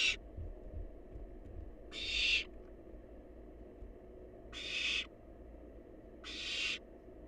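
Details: Wild barn owl nestling eating leftovers in its nest: rasping, noisy hisses of roughly half a second, four spaced irregularly across the clip, with faint low rumble beneath.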